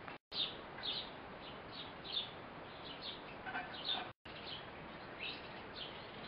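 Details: Eurasian blue tit, a mother feeding her young fledgling. Bright high tweets repeat irregularly, roughly one every second. The sound drops out briefly twice, and a constant hiss runs underneath.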